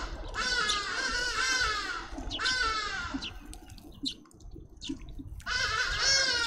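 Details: Grey-headed sparrow chicks demanding food from their parents at a seed feeder, with doves present: loud, harsh, buzzy rasping calls in two long bursts, a pause with faint chips, then another burst.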